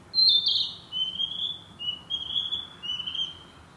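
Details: Sweet woodland song of a Narcissus flycatcher, a breeding summer visitor: a loud high whistled opening note sliding downward, followed by four clear whistled phrases at slightly lower pitch in quick succession, quiet low rumble beneath.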